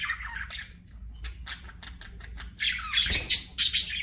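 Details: Pet budgerigar giving scattered short chirps, then a louder run of sharp, squeaky notes in the final second and a half.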